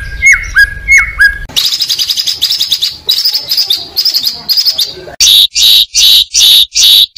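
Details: Oriental magpie-robin kept as a competition bird delivering isian material: two looping whistled phrases, then a dense scratchy chattering passage, and finally loud high harsh notes repeated about twice per second.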